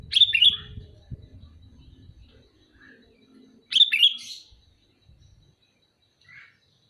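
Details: Calling sooty-headed bulbul gives two loud, bubbly phrases about three and a half seconds apart, each a rapid cluster of bright notes, with a faint low murmur between them.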